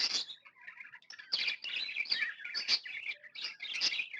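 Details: Cheerful pet budgerigars twittering: sharp high chirps and bubbling warbled phrases follow one another rapidly, with louder squeaky accents every second or so after a short quieter start.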